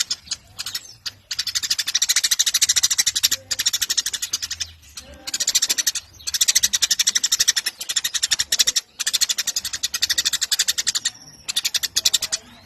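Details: Eurasian tree sparrow singing vigorously in long, sustained bursts: dense, harsh, rapid chattering notes in loud runs of one to three seconds separated by brief pauses, with a faint low hum beneath.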